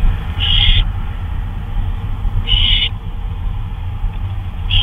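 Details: Owl calling at 2:39 AM on 26 May 2013 while on a flyabout: short harsh hissing bursts, each about half a second, repeated roughly every two seconds over a steady low rumbling background noise.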